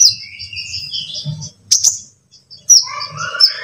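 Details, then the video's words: Sunbird song played as a fast lure for other birds to sing: high twittering runs and a sharp burst, a short pause, then more falling twitters over a faint low hum. "Dalam Hitungan Detik Konin Bahan Pasti Ikut Bunyi - Pancingan Tercepat bikin Gacor"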